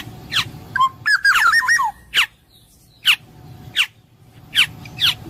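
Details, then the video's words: Black-naped oriole, known locally as kepodang emas, delivers a short, mellow, warbled phrase, then a series of crisp, falling notes spaced roughly every three quarters of a second. "suara burung kepodang emas jernih"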